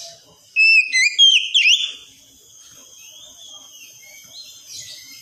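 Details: Oriental magpie-robin in wikplong style, played as therapy to coax a young untrained bird into song: a brief burst of three or four sharp, sliding whistles, some swooping down then up, followed by quiet hiss.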